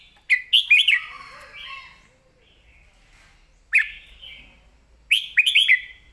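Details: Caged red-whiskered bulbul singing a clear southern-style master song used to train other birds: three bursts of rich, warbled, bubbling phrases with rising and falling whistles, separated by quiet gaps.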